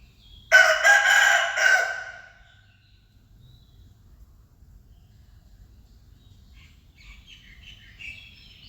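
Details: A rooster gives one loud, raspy crow lasting under two seconds in pulsed, hoarse phrases, then fades into quiet with a low rural rumble and faint chirps from small birds near the end.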